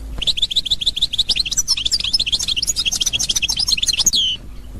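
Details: European goldfinch in authentic Constantine style: steady, rapid series of bright chirps building into a jumbled, tinkling twitter, ending in a long falling whistle.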